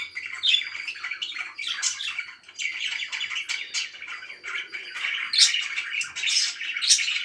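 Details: Parakeet chirping: rolling, buzzy warbled chatter with occasional sharp whistled peeps, several bright ones clustered in the last two seconds.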